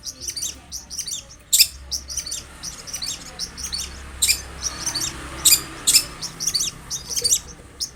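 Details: Long-tailed shrike in lively song, played as a lure to prompt another shrike to answer: dense, high scratchy chirps and short sharp notes tumbling rapidly, with several louder bright accents between.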